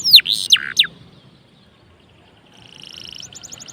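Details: Canary song used to get other canaries singing: three loud, sharp downslurred notes, a silent gap, then a faint, fast high trill.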